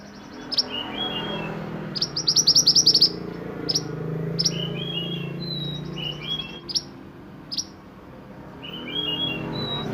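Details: Sunbird delivering 'roll nembak' song meant for tutoring other songbirds: piercing high chips, a fast rolled trill of about ten notes, and soft lower whistled phrases between them.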